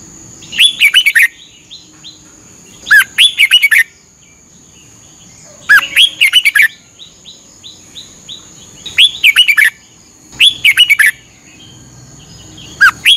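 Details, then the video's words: Caged red-whiskered bulbul from Thailand singing a morning training song, played for 30 minutes to help birds learn. Six loud, lively warbled phrases come every two to three seconds, with faint twitters between and a steady high hum. "นกกรงหัวจุก ฝึกหงอนเป็นเวลา 30 นาทีทุกเช้าเพื่อช่วยให้นกเรียนรู้ที่จะพูดได้อย่างรว"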